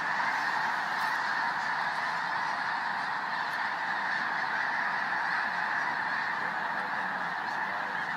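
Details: Snow geese massed in one of the largest groups found in South Dakota; a continuous, dense din of overlapping honks holds steady for the whole stretch.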